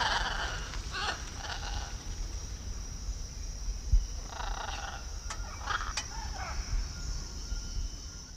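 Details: Blue-and-yellow macaw in Peru uttering two bursts of rough, nasal squawks, each about a second long and separated by a pause, against low rumbling noise.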